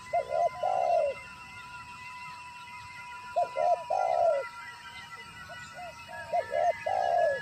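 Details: Spotted dove from the wild, recorded while being lured for trapping, gives three cooing phrases roughly every three seconds. Each phrase has quick short notes, then a long throaty coo. A steady hum runs underneath.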